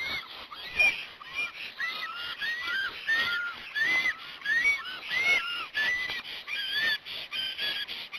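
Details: Black storks at a nest in Hungary on 26 April 2017 at 16:07, just after the first chick hatched. The male reacts as if an enemy were approaching. Clear whistled calls, some rising and some falling, repeat roughly every second.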